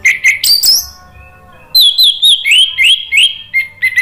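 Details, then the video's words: Lure recording of orange-headed thrush singing, meant to coax a silent bird into full song. A tumbling run of high, clear whistled notes, some repeated in quick succession, follows an opening burst of sharp twitters after a brief pause. "PANCINGAN ANIS MERAH agar BUNYI NYAUT JADI GACOR NGEPLONG"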